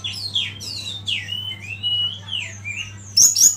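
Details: Quieter Oriental magpie-robin masteran song: drawn-out, downward-slurred whistles and a few rising notes, ending in sharp high chips against a soft background hiss and hum.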